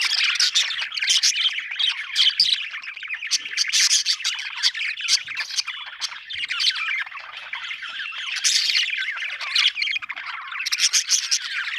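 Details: Long run of contented budgerigar chirping: rolling, grating warble with loud squawky surges and high chips, growing busier near the end.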